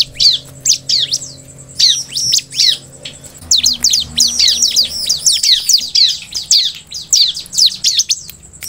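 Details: Gacor song of a ciblek, or bar-winged prinia: spaced, piercing high chirps at first, then a dense rapid chatter of slurred notes running for several seconds, with a soft background hum.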